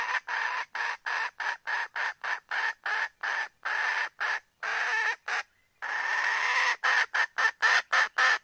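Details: Junglefowl hen soliciting a rooster for mating, a call meant to attract the male and bring him near; a long, fairly even series of short coarse clucks, roughly three or four a second, with one brief break near the end.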